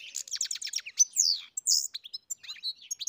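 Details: Goldfinch singing: quick stuttering twitters, then a drawn-out buzzy slur, a bright nasal burst and a string of sharp tinkling chirps, all high-pitched and energetic.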